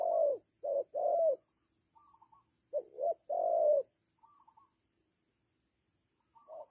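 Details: Decoy spotted dove kept for trapping birds, calling with short and drawn-out low coos in a few bursts, then pauses broken by faint, higher twittering notes.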